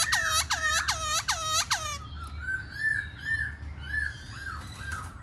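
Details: Black-throated laughingthrush, a kept bird, in song: a run of five loud looping whistled notes, then softer short rising and falling whistles repeated over a faint low hum.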